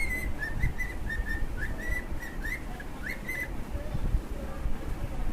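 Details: Cockatiels, two birds, singing: clear whistled notes in a loose series, some swooping upward, then softer lower whistles near the end, against steady low background noise and faint clicks.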